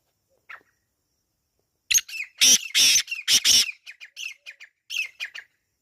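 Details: Wild black francolin (kala teetar) calling in a natural setting, likely in Pakistan: a faint early note, then a loud phrase of harsh, rasping, broadband bursts, followed by several shorter scratchy notes, with silence between them.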